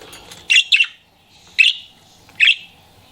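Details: Pet budgie flirting, uttering short bright chirps, one quick double note then two single ones spaced nearly a second apart, in a quiet room.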